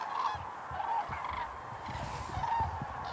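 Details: Dancing common cranes at Hornborgasjön, Västergötland, Sweden, April 2009, filmed with a Canon XL2: a few clear bugling honks rise above a murmuring flock chorus, with low rumbling noise underneath.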